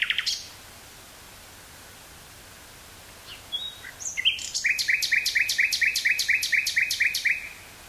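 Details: In the woods near Burgh-Haamstede, Netherlands, on 18 May 1983, a nightingale gives one sharp note, falls silent, then delivers a series of about a dozen clicking double notes; Sony TCD-5M cassette recorder, Sony 949-T stereo microphone.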